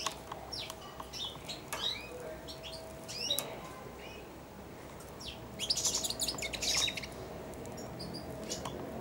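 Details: Hand-tame young European goldfinch, four months old, kept in a cage, babbling early subsong. Scattered high chirps and slurred notes, a pause, then a dense burst of bright twittering.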